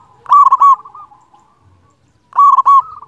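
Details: Loud local zebra dove coo: two strong ringing notes trailing into a softer rolling phrase, repeated after a pause of about a second and a half, meant as a master song to make silent doves sing.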